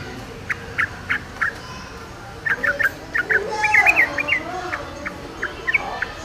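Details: Wild yellow-vented bulbul gives scattered short chirping notes, then a denser burst of gurgling notes in the middle, against a soft rustling background.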